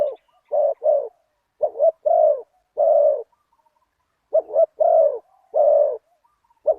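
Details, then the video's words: Decoy spotted dove calling toward a wild target bird, its 'big voice' in the one-kuk style. Soft, hollow coo phrases each open with quick paired notes and end in a drawn-out falling coo, with gaps of a second or more. "ต่อนกเขาใหญ่ ตามตัวหมาย เสียงใหญ่ 1 กุก"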